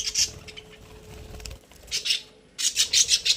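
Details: Happy budgerigars in a cage give scattered high chirps: one short burst at the start, another partway through, then a closing run of rapid twittering notes.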